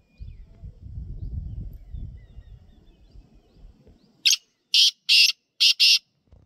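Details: Black francolin calling in the wild: after four seconds of low rumbling background noise, a burst of five loud, harsh, grating notes follows in quick succession.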